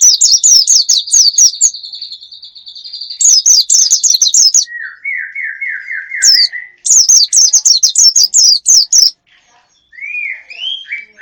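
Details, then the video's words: Wild bird lure recording: quick high chirped notes over a sustained trill, broken by silent gaps. A lower wavering rattle and a few soft rising whistles follow. "Pikat ampuh,untuk pancingan burung liar"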